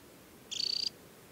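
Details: Single clear, high trill of fast, evenly spaced pulses from a ringed adult summer Temminck's stint at Tinnhølen lake on the Hardangervidda mountain plateau, Norway, early July; background otherwise quiet.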